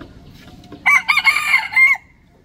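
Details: A red junglefowl rooster gives one hoarse, clipped crow of about a second, broken into several rough syllables that end abruptly; faint murmuring comes just before it.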